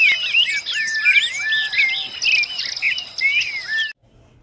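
A female ultramarine grosbeak sings a rapid run of warbled, sliding whistles. Other chirps overlap it, and a steady high insect-like hum plays throughout before the clip stops abruptly.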